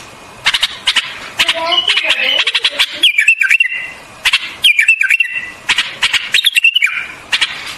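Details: A white-eared bulbul gives clear whistled phrases with a falling-then-rising warble, three in succession, mixed with dry clicking ticks and a lower descending series of notes early on.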